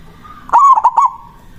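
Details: One phrase of a local zebra dove's big-voiced manggung song, used to lure a rival: a loud drawn coo followed by two quick pulsed notes, with a low hum before it.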